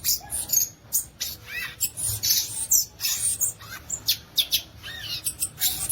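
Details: A violaceous euphonia delivers rapid high squeaks mixed with short curved, slurred whistles, the notes spaced irregularly and rather scratchy, with faint background hiss.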